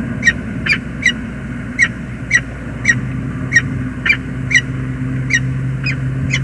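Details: Male peregrine falcon calling on arrival in the morning at James River Bridge, USA, on 19 November 2021, back after two days away: sharp, harsh notes repeated about twice a second over a steady low hum.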